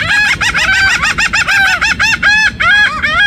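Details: Laughing gulls making a sound like a puppy: a rapid series of loud, nasal, arched yelping notes, about five per second, several birds overlapping in a continuous chorus.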